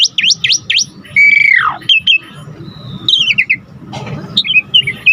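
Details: Asian pied starling singing energetically, its song rich in mixed phrases and meant to spur and teach other birds. Sharp up-swept whistles lead into a long downward-sliding whistle, then scattered falling notes and a brief rasping burst.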